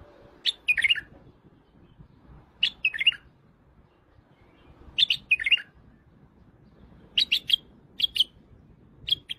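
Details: White-eared bulbul from Iraq singing short bursts of bright chirpy, bubbling notes, phrases about every two to three seconds, separated by brief pauses over faint low rumble.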